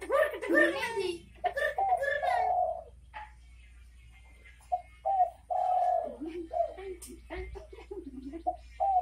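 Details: Spotted dove, known locally as derkuku, in bekur bekur style: soft, low hooting coos in short phrases with a long drawn middle note, some harmonic voice-like sounds near the start, indoors.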